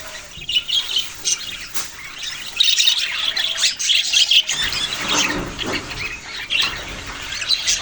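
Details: Budgerigars squawk and chirp in an uneven, overlapping chatter of harsh high notes and short twitters, louder in the second half.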